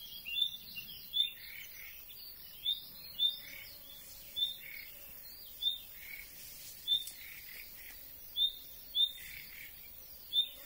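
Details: A common nightingale, seen only briefly, gives short, sharp high call notes unlike its typical song, about a dozen at an uneven pace of roughly one per second, over soft twittering from other birds.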